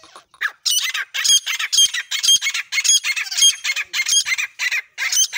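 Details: Partridges, named locally as desi, black, Deccan and Iranian teetar, give loud, harsh, squawking calls in rapid bursts of about two per second, with brief gaps between phrases, in a rural outdoor setting.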